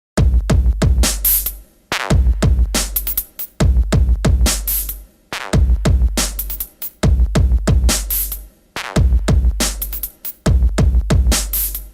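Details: Electronic music with a heavy drum-machine beat and bass fills the whole stretch, with no animal sound.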